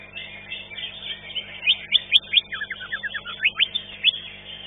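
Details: Contest-singing Green leafbird, a fifth-place finisher at a bird singing competition, giving bright high whistled notes, then a rapid series of downward-slurred chips, against a constant background chorus of many other caged birds.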